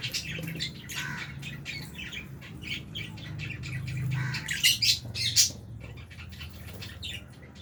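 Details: Albino and Fisher's lovebirds eating in an aviary shared with budgies give rough, squawky chirps in a loose, continuous chatter, several louder calls bunched near the end, with low background hum.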